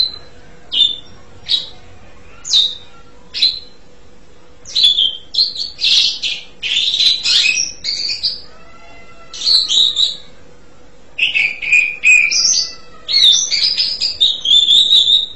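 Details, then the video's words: Asian pied starling song beginning with sparse sharp single notes about once a second, building into long dense runs of mixed whistles, rattles and harsh chatter, with some lower drawn-out tones in the middle. "JALAK SUREN"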